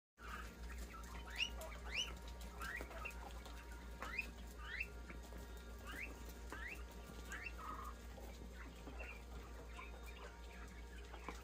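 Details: Caged Japanese coturnix quail kept for eggs in a three-tier cage give quick, thin, upward-sweeping chirps, several birds overlapping about every half second, over a steady low mechanical hum.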